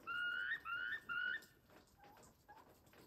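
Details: Wild turkeys on a ranch in Westbrook, British Columbia, 26 September 2023: three clear, whistled, slightly rising notes, each nearly half a second long, followed by a couple of softer, lower calls.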